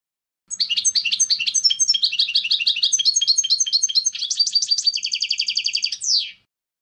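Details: European goldfinch in full song: varied tinkling twitters and chattering phrases running for about six seconds, finishing with a steady trill and a drawn-out falling note.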